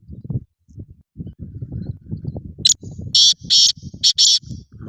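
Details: Black francolin giving its grating call: a quick thin note, then two pairs of loud buzzy, rasping notes, after low murmuring voices and background noise.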